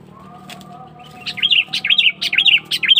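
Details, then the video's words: Sooty-headed bulbul lure call for attracting wild birds, a series of sharp clicky chirps in quick, uneven bursts, with some rustling and a steady low hum in the background. "Suara Burung Kutilang Pikat Cengkeram"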